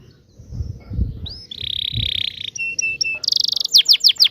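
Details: Canary song in the 'ngerol' style, used to teach young canaries. Faint low rumbling first, then an upslurred whistle, a long buzzy note, level piping notes and a burst of rapid high chips.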